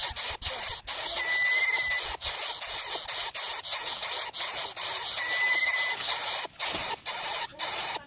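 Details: Three Greater coucal nestlings clamouring for food from a harried parent: continuous harsh hissing, broken by short gaps into uneven bursts, with two brief thin whistles in the background.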